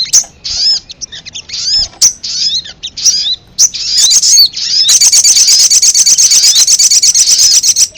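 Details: Ruby-cheeked sunbird lure call, used to attract wild birds for trapping: sharp high chirps and short down-slurred notes in quick bursts, then a dense, rapid buzzy trill running steadily over the last three seconds.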